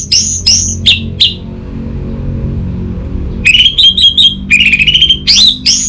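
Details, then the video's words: Orange-headed thrush song used as a lure for a silent caged bird: a few short, sharply rising whistled notes, a pause over low background hum, then a rapid burst of bright, ringing whistled phrases. "Siapa Sangka Burung ANIS MERAH Macetan Terpancing Gacor Didengarkan Kicauan Ini"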